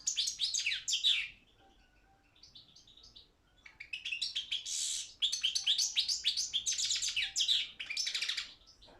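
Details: Balkan goldfinch singing for an online world song championship: an opening twittered burst, softer scattered notes, then a long lively run of quick metallic chirps, trills and buzzy accents.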